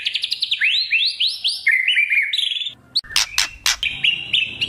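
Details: Speckled young white-rumped shama used as a lure for loud singing. Quick rising whistled slurs in a run, a brief pause, a cluster of hard crackling bursts, then further clear rising whistles.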